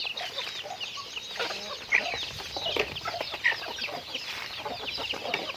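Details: Natural chicken sounds during daily activity, a busy mix of many thin, high chirps overlapping continuously, with occasional low clucks and a couple of brief louder peaks.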